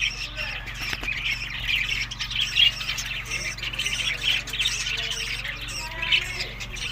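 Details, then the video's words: Budgerigars eating in summer, May to June, in Larkana, Sindh: a steady stream of rough, squawky warbling chatter with sharper chirps mixed in, backed by a constant low hum. "Budiges Beast Summer Food Eating May to June Good Health Parrot"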